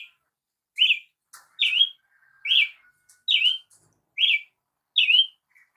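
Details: Song of a Brazilian tanager: six clipped chevron-shaped whistled notes, each up-then-down, delivered roughly every 0.8 seconds, with a faint low hum running underneath part of the sequence.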